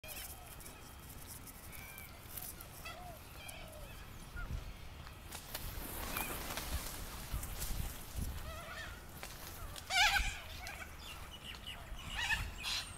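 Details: Sulphur-crested cockatoos in a neighbourhood give a few harsh, raspy screeches, loudest near the end, over a low background rumble and faint chirps from smaller birds.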